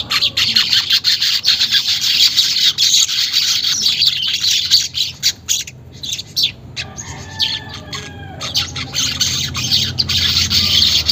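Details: Weaver song used as a lure to get caged weavers to sing and chatter readily, unedited: dense, buzzy, high chattering in continuous streams with rapid twittering notes and brief quieter gaps, low background rumble.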